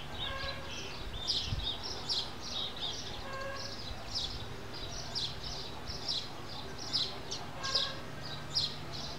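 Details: Common waxbill, known locally as biquinho, uttering a rapid series of high, sharp chirps, several per second, with faint lower tones and a constant low background hum.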